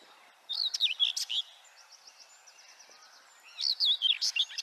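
A common whitethroat gives two brief, scratchy, hurried warbles about three seconds apart, with a faint thin ticking series from another bird in between.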